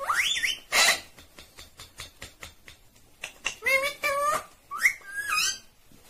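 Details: Green Indian ringneck parakeet mixes a rising whistle, a fast series of ticking clicks and then several harmonic, speech-like syllables with upward slides.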